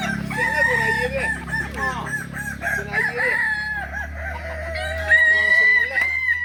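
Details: At a Kukuak Balenggek crowing practice contest in Ampang Kualo, Solok, May 2024, roosters give long, multi-stepped crows. The notes break into wavering segments, and a loud, drawn-out crow ends the sequence, over a low hum.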